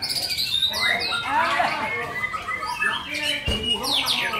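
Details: Oriental magpie-robin (murai batu) in strong, full song: dense overlapping whistles, chatter and sweeping notes packed tightly, with no pauses, from low squawky phrases up to high thin trills.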